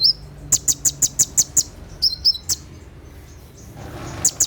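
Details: Night-time 'tembakan' song of a brown-throated sunbird, used for training caged konin: a run of six piercing high ticks, then paired falling whistles and a few scattered clicks.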